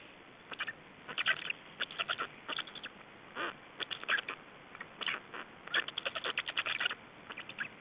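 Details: Black storks in Estonia, feeding and change at the nest on 25 May 2012 at 17:03: short bursts of quick, harsh clicking pulses separated by brief quiet gaps, bursts recurring roughly every second.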